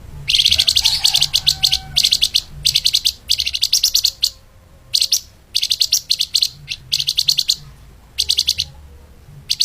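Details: Flamboyan bird song in the fast, tightly packed style called lemahan speed rapat, recorded as a master for training other songbirds: dense bursts of high rapid chirps, each about half a second, separated by brief gaps, with a low hum beneath.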